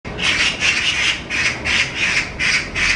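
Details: Two magpies fiercely attacking a stray cat and chasing it as it flees, recorded 5 July 2024: harsh, rasping chatter bursts repeated roughly three times a second, steady and loud over a low rumble of background noise.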